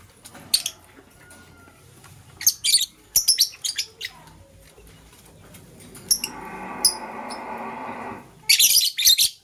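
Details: Green lovebird chirping in the morning as a blue lovebird scrambles for vegetables. Loud, harsh, shrill chirps come in quick clusters near the start, middle and end, with a steady rushing, rustling noise between them.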